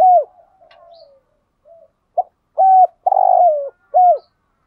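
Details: Lure recording of male and female spotted doves, used to prompt wild doves to call back: a series of short, mellow, slightly falling coos in an uneven rhythm, one longer and fuller, with quiet gaps between.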